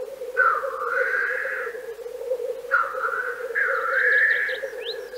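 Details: Two drawn-out, rasping hisses from black grouse in Central Russia, each over a second long, above a continuous low bubbling murmur, with faint high bird chirps at the end.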